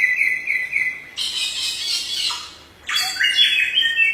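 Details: Samyong bird singing as a tutor for other songbirds: a high steady whistled trill, then a loud buzzy chattering burst, a short pause, and more varied whistled phrases.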